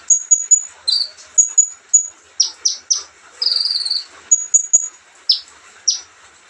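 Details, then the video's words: Olive-backed sunbird in relaxed song: thin, high whistled notes with sharp down-slurred chips and one short buzzy trill, all delivered in a lively, irregular sequence. "kicauan santai Kolibri ninja"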